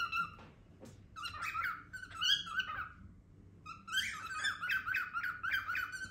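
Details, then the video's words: Loud noises from a pet cockatiel that seems to be attempting a word: uneven bursts of squeaky, harmonic chatter and warbled notes, some rising, clustered in three groups across six seconds in a small room. "Cocktails makes loud noises"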